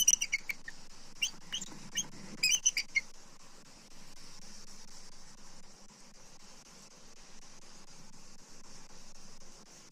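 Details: A female Bald Eagle, F23, arrives on the attic branch of her SW Florida nest tree on 18 September 2024 and vocalizes at what she sees: a few high, thin chittering notes in quick bursts, then insect hiss and low hum.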